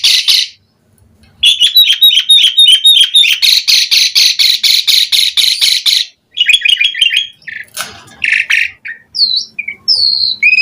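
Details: Lure song of an Asian pied starling meant to prompt other starlings to answer: a long run of rapid, evenly repeated harsh chatter notes, then mixed whistles, squawks and short slurred phrases.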